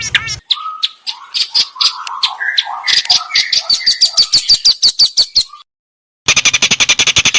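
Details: Long-tailed shrike, recorded 16 May 2022 on a Samsung M30 in a yard beside rice fields, giving a varied medley of lower warbled notes and rapid high chips, broken by a short silence before a dense burst of buzzy high notes.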